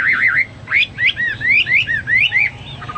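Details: A Hwamei singing strongly, recorded as a model song for pet birds: clear, rich whistles rising and falling in smooth arcs, several separate phrases in quick succession, each under half a second.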